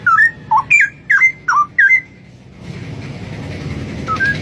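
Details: A wild straw-headed bulbul singing in nature: a rapid run of rich, liquid whistled phrases that swoop up and down, with a steady rushing hiss taking over in the second half.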